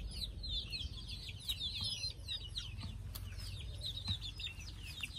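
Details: A group of chicks getting ready for sleep, their high peeping a constant overlapping chatter of short downslurred notes, over a steady low background hum.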